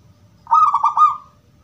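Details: Single bubbling coo from a gedong mengo zebra dove prized for its crystal voice and used as a lure for other doves; beaded notes roll quickly then trail off, low hum underneath.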